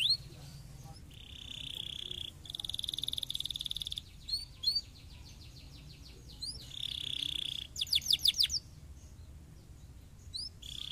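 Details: Quieter canary song played to prompt other canaries to sing: steady rolling trills, short whistled slurs and a burst of rapid sharp notes, separated by pauses with faint background hiss.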